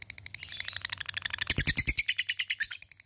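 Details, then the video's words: Labet calling out to an opponent in a fighter-style 'ngetik ngekek' chatter: a fast run of sharp, high ticking notes that grows louder and denser midway, then eases off toward the end. "LABET memanggil lawan | ngetik ngekek fighter GACOR"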